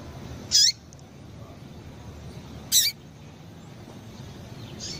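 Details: Female double-collared seedeater calling to stimulate males: two loud, high, brief chips about two seconds apart, each ending in a falling slur, followed by a softer third note, over quiet steady background noise.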